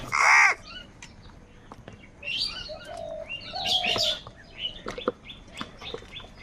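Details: Crows fighting for food: a loud, harsh cawing burst at the start, then a busy chorus of thin chirps and whistles from smaller birds.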